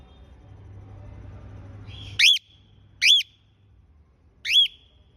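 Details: A female cockatiel gives three loud, rising-then-falling whistled calls, each about a quarter second long.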